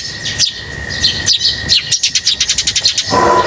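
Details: Lovebirds at feeding time give bright high chirps, then a quick run of about a dozen rapid clipped notes, before a lower tonal squeak ends the burst, over a constant faint hum.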